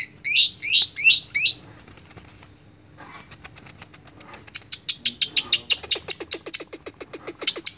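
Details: Young Asian pied starling learning to chatter: four loud sweeping notes, a quiet pause, then a long series of sharp clicking ticks speeding up into a steady rapid rattle.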